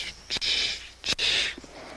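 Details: Red-billed oxpecker riding a giraffe on Rietspruit reserve below the Drakensberg, Limpopo, South Africa, 14 July 2023, giving two harsh, hissing calls about a second apart, each a dry, high, rasping tsssss beginning with a sharp click.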